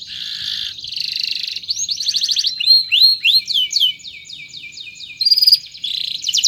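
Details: Canary performing a long chirping song for training other birds: buzzy trills lead into many fast rising and falling whistled sweeps, ending in loud rattling bursts.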